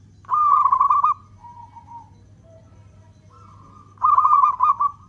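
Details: Long-beat song of a local zebra dove, used as a lure to get other doves singing: two loud, quickly pulsed coo phrases separated by soft, level coos from a more distant dove, over a low hum.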